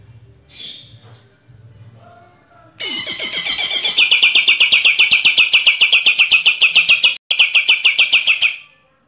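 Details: Bornean green leafbird from East Kalimantan, Borneo, found from highlands to lowlands, in lively 'AK 47' song: after a quiet start with faint low noise, a sudden, relentless burst of fast, sharp, descending chip notes runs for nearly six seconds.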